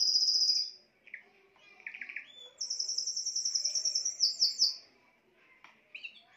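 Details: Spanish timbrado canary song: a high rapid trill, then scattered lower chirps and short notes, followed by a long bright rattling trill that steps down in pitch before quieter closing notes.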